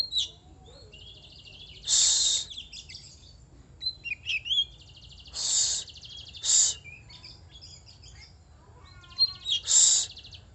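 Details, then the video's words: Song of an oriental magpie-robin: varied whistles, buzzy trills and slurred notes, with several loud harsh rasping bursts at irregular intervals. "burung kacer"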